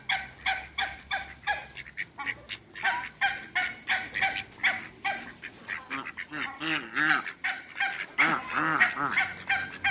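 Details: African geese, two couples, meeting Muscovy ducks: a dense chorus of overlapping nasal honks from several birds, fast and uneven, with some softer, lower calls mixed in toward the end.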